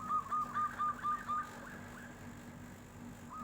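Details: Local zebra dove (perkutut lokal) responding to a passing tofu seller in flute-like 'nyuling' style: six short, even, whistled coos in steady rhythm, then quiet hiss and one faint note at the end.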